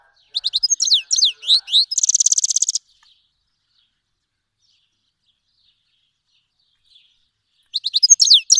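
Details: Fars province, Iran: a Himalayan and black-headed cross goldfinch sings a phrase for teaching young birds, sharp high sweeping notes running into a long buzzy trill, followed by several seconds of silence before the next phrase begins.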